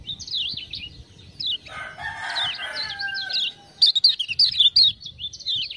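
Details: Lemon-bellied white-eye (kecial kuning, Lombok) used as a tutor bird, singing after ciak-ciak prompting sounds. Scattered high twitters give way to a raspy lower passage with a long whistle, then a loud burst of sharp, quick chirping notes.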